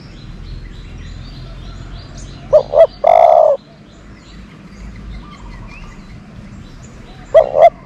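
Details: Dove kept as a decoy to draw in doves, giving a double-pulsed note and a long mellow coo, then a low murmur of background noise before the double note sounds again.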